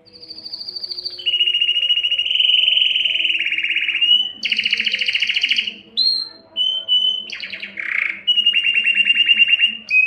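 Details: Canary delivering a long, powerful song to attract a mate: a high whistle, then extended buzzy rolling trills, broken into varied bursts including a lower gurgling note and quick high chips.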